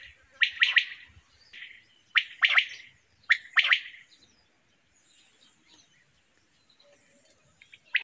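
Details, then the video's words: Three loud, rapid bursts of sharp, liquid quail notes in the first four seconds, then near silence broken by a few faint sounds and one final sharp note. "quail sound"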